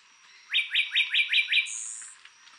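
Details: An adult Puerto Rican Bullfinch, a Puerto Rico endemic, sings a quick run of six rising, slurred notes followed by a thin, high buzzy trill.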